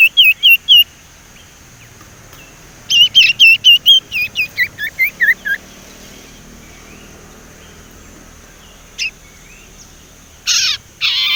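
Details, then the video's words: Untrained young male Sumatran leafbird practising its whistle, used as a lure for silent leafbirds: a few opening notes, then a burst of about a dozen quick hooked whistles that fall and slur, later two short harsh chirps. "burung sirtu ngeriwik belajar nyiul"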